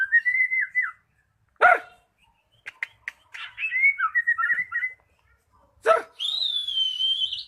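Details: Magpie-robin lure recording to get a quiet bird singing: a whistled phrase with falling slurs, two loud harsh bursts, clicking and warbling notes, and a long high sweeping whistle with trills at the end.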